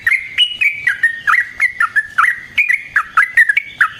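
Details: Yellow-vented bulbul singing as a lure for other bulbuls: loud, liquid bubbling notes in a steady stream, each dipping and rising, about three notes per second, clear and unbroken.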